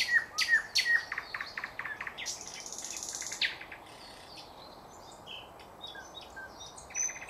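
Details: Thrush nightingale song recorded in 2024: a burst of loud clicking strokes and sharp whistles in the first three seconds, followed by quieter scattered high chirps and twittering notes.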